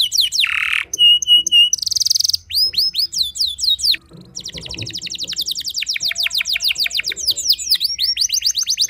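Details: Canary song to incite other canaries to sing: harsh downward notes, clear flat whistles, a buzzy trill, curved whistled slurs, then a long fast rolling trill of repeated notes.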